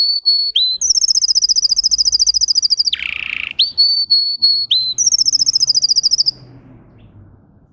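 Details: A singer canary sings high, clear whistles and long, rapid trills of repeated notes, broken by a brief harsh rasp, then more whistles and another fast trill.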